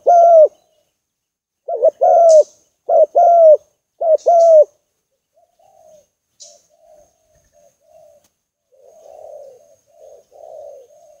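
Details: Spotted dove lure call, meant to attract doves: four loud two-part coos, a short clipped note then a longer falling one, followed by softer, burry coos further off.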